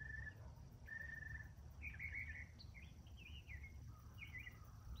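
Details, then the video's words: Male northern mockingbird in morning song: a couple of flat drawn-out whistles followed by twisting slurred phrases, over low background noise. "Northern Mockingbird Singing Multiple Morning Songs?"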